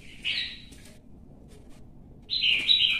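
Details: Caged red-whiskered bulbul during competitive singing: a short bright whistled note, a pause, then a clear ringing phrase of whistles.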